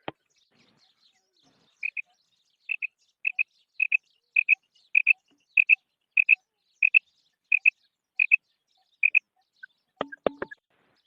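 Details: Calling female quail utters a steady series of high, paired notes about every 0.6 seconds. A clatter of handling noise closes the sequence.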